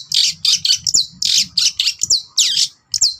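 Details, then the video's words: Long-tailed shrike in energetic morning song, intended to make other birds answer. Loud, raspy, squawking bursts alternate with sharp descending whistled notes over a faint low rumble. "CENDET GACOR PAGI HARI BIKIN BURUNG APAPUN EMOSI NYAUT BUNYI"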